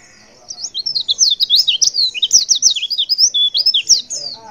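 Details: Female white-eye giving a call that makes males respond: an unbroken, hurried chatter of high, thin, slurred chirps, roughly three per second, sustained for about four seconds.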